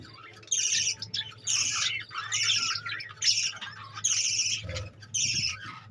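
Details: Caged budgerigars chattering: dense bursts of high, scratchy warbling and chirps in roughly half-second blocks, separated by short pauses, with a steady low hum underneath.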